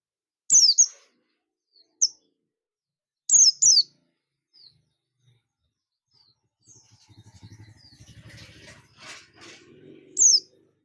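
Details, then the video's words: Oriental white-eye, buxtoni form, calling companions in ngalas style with high, piercing, downward-slurred chirps singly and in pairs, with a stretch of rustling, murmuring background noise before a final chirp. "pleci buxtomi ngalas ‼️ pleci lain pasti ikut ngalas"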